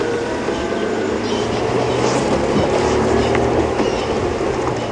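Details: A loud vehicle engine drones steadily with a low hum throughout, and no animal calls are heard.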